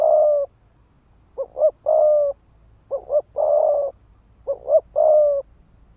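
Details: Spotted dove decoy cooing fast to incite males to fight: a long coo, then three phrases of two quick, rising hoots followed by a sustained, husky, even-pitched coo, evenly spaced.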